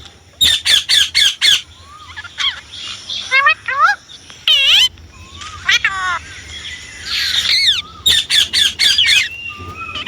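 Indian ringneck parakeet giving quick runs of four or five shrill squawks, broken by rising and falling whistles and scratchy chatter.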